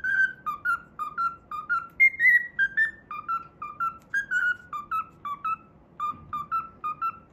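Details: Cockatiel kept as a pet, whistling a learned tune, the Pythagora Switch opening theme, during play: an even run of short whistled notes, one roughly every quarter second, broken by a higher slurred note near two seconds.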